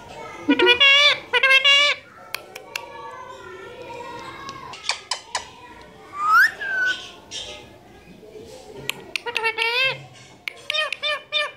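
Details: Pet parrot mimicking Urdu/Hindi words indoors, giving short high nasal utterances in bursts at the start and near the end, with a person repeatedly prompting it to speak and laughing between phrases.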